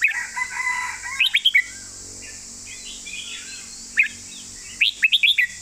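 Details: Red-whiskered bulbul singing master song phrases: smooth whistled notes and sharp, quick chirps in short clusters, with a constant high-pitched hiss behind.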